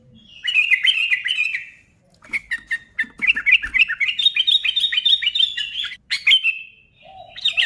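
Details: Sooty-headed bulbul singing to set off other bulbuls: a chattering opening phrase, a pause, then a long, quick run of sharp notes climbing slightly in pitch, closing with slurred whistles.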